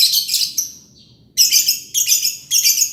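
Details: Ngekek song of a green lovebird: dense, grating, buzzy trills in half-second pulses, a brief dropping squeak, then three more rasping bursts in steady succession.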